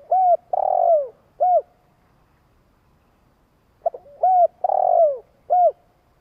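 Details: Long coo of a spotted dove, used to stir decoy doves: two phrases about four seconds apart, each a short arched coo, a long drawn-out coo dropping at its close, and a closing short coo; quiet background.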